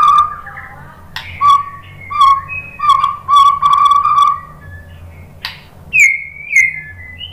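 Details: White-rumped shama song used to provoke other shamas into answering: clear whistled notes held steady at mid pitch in short repeated bursts, then a higher sliding whistle near the end, with a faint low hum behind.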